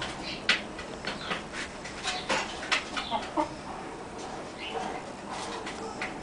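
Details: Barred hen laying an egg, uttering a loose series of short, sharp clucks and clicks at an uneven pace, fading into softer murmurs against a noisy farmyard background.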